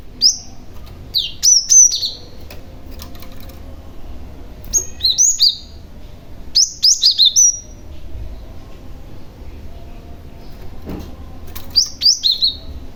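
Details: Cinereous tit lure calls meant to draw replies from other tits: short groups of sharp, high, falling chirps repeated every few seconds over faint background noise.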